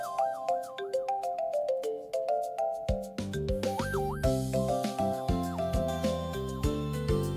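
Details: Bright electronic music with chiming, bell-like notes over a steady beat and bass line, with no animal sound.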